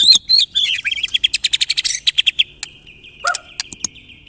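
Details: White-rumped shama (murai batu) lure song: dense warbling at the start flowing into a rapid string of evenly spaced high notes, then a few isolated chips and a low whistled slide.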